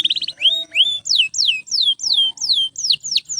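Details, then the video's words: Canary singing non-stop, loud song meant for training other canaries: a rapid trill opens, then a run of strong downslurred whistled notes repeated about three times a second. "Canto de Canário Gritando Sem Parar – Ideal para Encorpar Outros Pássaros!"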